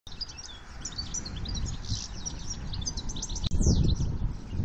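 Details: A male European goldfinch in breeding condition, without a mate, sings a fast, liquid twittering stream of high tinkling notes over a heavy low rumble.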